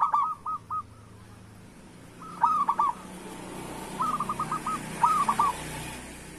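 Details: Local zebra dove used to prompt lazy doves to sing, giving short rolling cooing phrases near one pitch, spaced by pauses of one to two seconds, over a low steady hum.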